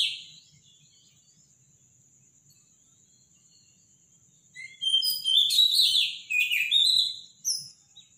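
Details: Robin singing in the morning, its song described as powerful and loud; a short high note opens, then after a quiet stretch come bursts of high, jumbled, twittering and warbling phrases, over a steady faint high-pitched whine.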